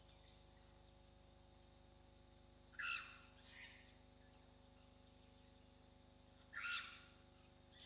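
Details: At Hyena Pan, Khwai Private Reserve, Okavango Delta, Botswana, a pair of Purple Rollers on a webcam: two short, scratchy, rasping calls several seconds apart, fairly faint under a steady high hiss and electrical hum.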